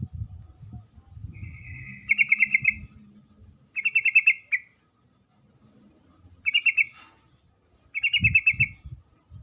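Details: Sooty-headed bulbul female calling the male, four rattling bursts of fast repeated notes spaced about two seconds apart, with low rumbling noise at the start and end.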